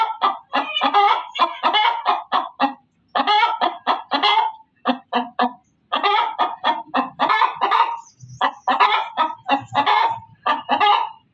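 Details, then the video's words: Loud hen cackling in grouped bursts of sharp, nasal clucks, each run lasting a second or two before brief pauses, with a few low thuds near the end. "suara ayam berkokok betina"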